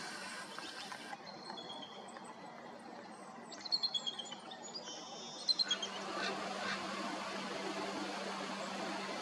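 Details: Bald eagles, part of a gathering of over 65 at Julia Butler Hansen NWR, Washington, on 18 March 2024, give two short bursts of thin, high, chittering piping notes over steady background noise, a low hum and a faint insect-like buzz.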